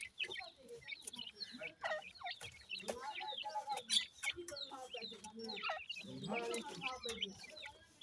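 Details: Several grey francolin chicks at feeding time give rapid, high-pitched peeping chirps. Lower soft clucking notes and scattered sharp clicks run through the flock's calls.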